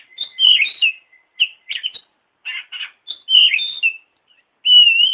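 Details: Kacer tutor song, from an oriental magpie-robin, meant to teach other birds: varied whistled phrases and buzzy chatters in short bursts, ending in a long, steady, sweet whistle.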